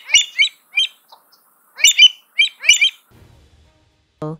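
American avocet giving sharp, high, sweet 'kleek' notes in quick pairs and short bursts; a brief low voice begins at the end.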